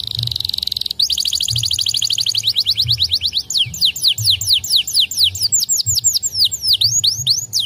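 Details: Song of white canaries: a steady buzzy note, then a rapid rolling trill of short notes that slows into loud repeated downward-sweeping whistles, with a low hum underneath.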